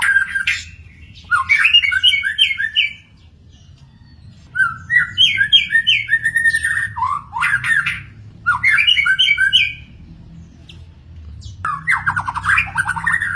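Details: Magpie-robin in the wild singing separate bursts of stepped, bouncing whistled notes, each lasting a second or two and spaced by pauses, with high thin chirps in between.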